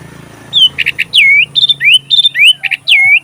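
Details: Sooty-headed bulbul song used as training material for magpie robins: clear whistled notes dipping and rising near mid-high pitch, mixed with short doubled chirps, in quick uneven phrases.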